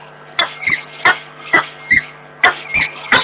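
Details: Two wild peregrine falcons in Włocławek on the morning of 26 February 2023; harsh, clipped calls with a hoarse edge, repeated roughly every half second to second, some in quick doubled pairs, against a quiet background with a faint low hum.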